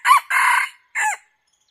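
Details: Red junglefowl during decoy hunting gives a crow. Three loud, harsh syllables are heard: a short one, a longer sustained one, then a brief falling final note, with silence afterwards.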